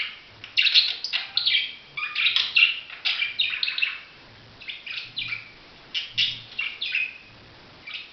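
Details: Budgerigar calls: bursts of bright chirps and scratchy warbling notes in clusters, separated by brief pauses of near silence.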